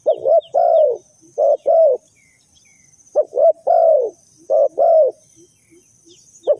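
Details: Spotted dove serving as a trapping lure, giving rhythmic groups of soft, hollow coos with a quick note before each longer one. Faint small-bird chirps sound in the background.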